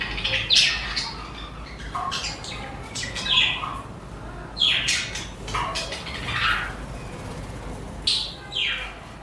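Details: Budgerigars (parakeets) chatter at moderate loudness, with short scratchy chirps and a few clearer squeaky notes spaced irregularly.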